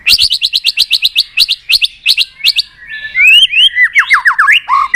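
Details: White-rumped shama, flicking its tail and calling to provoke a rival into contest singing: a rapid string of repeated sharp chipping notes, then a loud fluid run of descending whistled notes.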